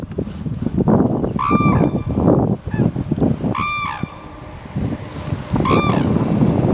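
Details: Red-crowned crane in Hokkaido, Japan, in March 2012, where the cranes dance, gives three loud, brassy trumpeting calls about two seconds apart over steady low wind rumble.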